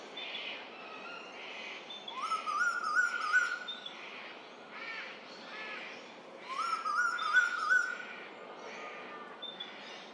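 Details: A male Eastern (Pacific) koel, the "rainbird" that arrives each spring, calls across the Lane Cove River valley, Australia: two loud, rising whistles about four seconds apart amid other birds' repeated chattering.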